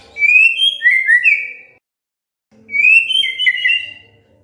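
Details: Shama song played to coax other shamas into full song: two rich whistled phrases of fluting, warbled notes, each about one and a half seconds long, separated by a short silence.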